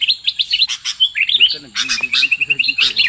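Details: Short burst of sooty-headed bulbul lure calls: quick bright chirps and a run of evenly spaced whistled notes, with a softer, lower wavering voice underneath.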